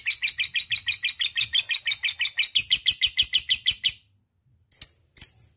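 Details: Lovebird calling a rival with a ngekek: a fast run of rasping high notes, about four per second, lasting four seconds, then silence broken by two single sharp chirps.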